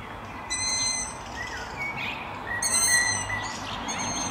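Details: Evening begging whistles of young Long-eared Owls in town trees at Martin; thin high squeaky whistles in two main bursts, with a faint broadband rushing noise.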